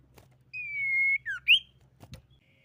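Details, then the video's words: Common iora song used as a lure to provoke other ioras into singing, said to be a female: one sustained, slowly descending whistle, a short downslurred note and a loud upward-sweeping finish, with a few clicks and low background hum. "SIRTU GACOR MEMANCING LAWAN BUNYI"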